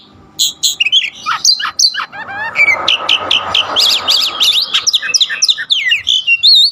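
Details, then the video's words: Oriental magpie-robin delivering loud, fluent song of rapid whistled notes, zigzag trills and sweeping slurs, with a faint low hum in the middle. "burung kacer ajaib"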